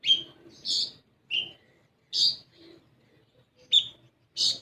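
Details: Olive-backed sunbird chirping, used as a lure so raw sunbirds start singing: loud, shrill single notes and short doubled chirps at irregular intervals, with quieter chatter between.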